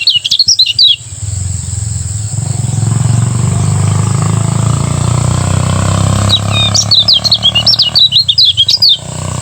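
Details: Lemon-bellied white-eye of Lombok singing ngejos in the morning: a brief twitter of high notes opens, then loud low rumbling noise, then a longer run of rapid, zigzagging chirps returns.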